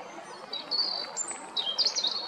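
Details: Singing European robin at Jarun, Zagreb, Croatia, 13 April 2022: sweet, high drawn-out whistles sliding up and down, then a fast burst of liquid trilled notes.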